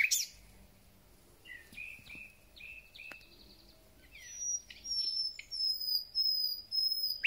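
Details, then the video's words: Thrush nightingale singing in full voice at the start of spring: varied whistled phrases, a few level piping notes, then a long high sustained whistle held over several seconds, in a quiet rural setting. "Słownik Szary koncert na całego to znak że zaczęła się wiosna ."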